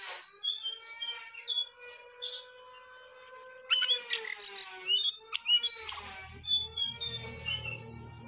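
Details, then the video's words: Jongkangan singing soft high whistled notes, pausing briefly, then erupting into fast, loud chatter and sharp chirps, with a low rumble in the final seconds. "Jongkangan GACOR DOOR"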